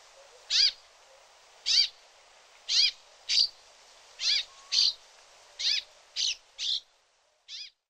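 A Brambling gives ten harsh, nasal, rasping notes, repeated roughly every half to one second against a quiet background.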